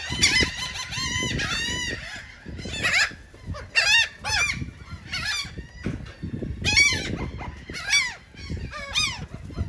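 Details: Gulls eating cake in Atlantic City, New Jersey, make sharp, arched, nasal yelps in separate bursts about every second, several birds overlapping, with low rumbling and tapping underneath.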